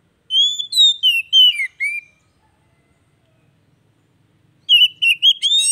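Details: Oriental magpie-robin song played as daily therapy to get a bird that has stopped singing going again: two bursts of clear whistled, slurred notes around a steady pitch with high chirps, separated by a silent pause.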